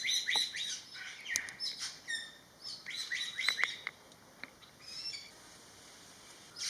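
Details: Greater Racket-tailed Drongo recorded in a garden in western Thailand: a rapid jumble of bright chirps, buzzy notes and clicks in bursts, fading to scattered single notes after four seconds, then rising again at the end.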